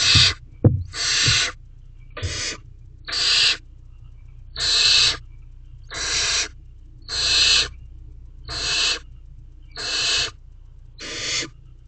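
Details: Night scene in a barn owl nest box with adults and owlets, 5/7/23 at 9:18 pm, a mouse swallowed whole: ten rough, noisy screeching hisses at irregular intervals, a bump at the start, and low background hum.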